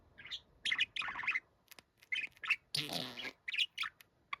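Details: Pet budgerigar, described as sounding like a middle-aged man; short bright chirps and squeaky notes in quick bursts, a harsher buzzy burst in the middle, then more clipped chirps.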